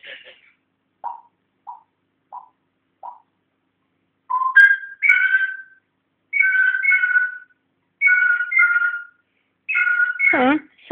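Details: Pet African grey parrot learning to talk indoors, whistling: four short soft pips, then a series of loud two-toned whistled phrases falling from high to lower, repeated about every second, ending in a sliding downward squeak.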